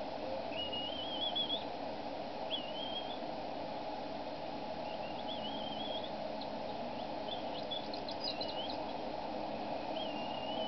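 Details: Decorah bald eagle nest in a cottonwood, evening of 23 April 2012: the female calls repeatedly at the male feeding the eaglets. Several piping, wavering squeals are followed by a burst of sharp, quick ticking chips, all over steady low background noise.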